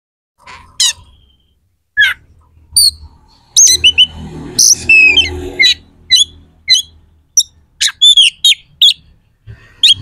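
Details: Oriental magpie-robin song with harsh, sharp fill notes, used to provoke rival magpie-robins to anger before contests. Scattered short chirps and high buzzy notes in irregular bursts, with gaps between them and a faint low rumble underneath.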